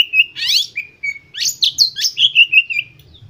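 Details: White-rumped shama song meant to provoke other birds into singing: steady whistles, a harsh rising buzzy burst, then a run of loud quick sweeping notes fading into a level whistle.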